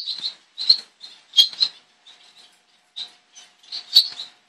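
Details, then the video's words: Double-barred finch (owl finch, Taeniopygia bichenovii), a species of eastern and northern Australia, giving thin, high, nasal calls in short clusters, about one burst every half second with brief pauses. "雙斑草雀(貓頭鷹雀)/Double-barred Finch(Owl Finch)"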